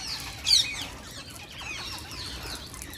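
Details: A wild Indian parrot gives one sharp, high, falling screech, followed by fainter high chirps and twitters scattered through the rest of the three seconds.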